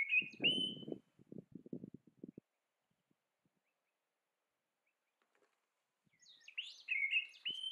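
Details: Female grey shrike-thrush chasing off a competitor gives loud, ringing whistled notes that slide and break at the start and again after a pause, with soft low thumps in between.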